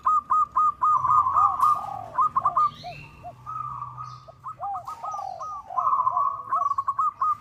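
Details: Calling a rival and used as a lure, a local zebra dove gives quick, evenly spaced staccato coos that run into rattling trills, with lower arched coos from neighbouring doves throughout.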